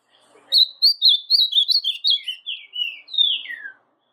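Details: An Ultramarine Grosbeak (brown/female-type "azulão pardo") sings a quick, sweet warbled phrase of about a dozen high notes that drifts downward and ends in a falling slur.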